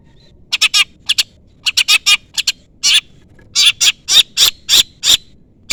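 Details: Long-tailed shrike calling a rival: harsh, grating chatter notes given singly and in pairs, becoming louder and more regular toward the end, with a faint high whistle underneath.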